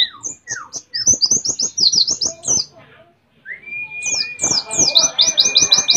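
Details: {'caption': 'Mount Ciremai white-eye, West Java, in canary-imitating song: rapid high descending chirps, a pause, then a steady flat whistle overlaid by energetic, repeated high trilled notes.'}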